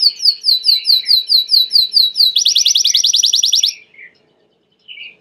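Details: Belgian canary song: loud, evenly spaced downslurred whistles, then a rapid, very high buzzy trill, ending with a pause and one soft closing note.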